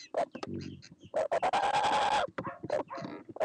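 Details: Australian laughing kookaburra calling with scattered choppy cackles, then a sustained raucous rising note lasting under a second, followed by more harsh broken chuckles.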